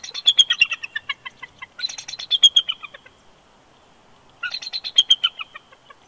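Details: Male bald eagle at a nest on eggs at Big Bear Lake, California, on 20 January 2020, whining and protesting as his mate coaxes him off; loud, high, stuttering chatter of rapid descending notes in three bursts, otherwise quiet.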